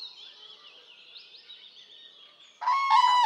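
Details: Common crane in Poland: thin high songbird twittering for over two seconds, then a sudden loud, harmonic-rich trumpeting call bursts in and carries to the end.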